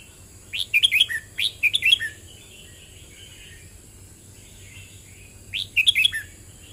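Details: Singing red-whiskered bulbul, 'boen rik' song style, with two close bursts of quick, ringing whistled notes, a long stretch of faint soft twittering, then another cheerful phrase of rising and falling chirps; faint constant high hiss.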